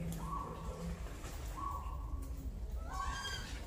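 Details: Peafowl in a jungle, recorded 14 January 2023, gives three drawn-out, nasal, level-pitched wails about a second and a half apart over a steady low rumble.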